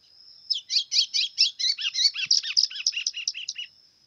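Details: Singing 'pressão'-style white-throated seedeater, brownish 'pardo' plumage, pours out a rapid three-second series of buzzy chirps, several with lower downslurred tails, then stops; a steady high whine runs underneath.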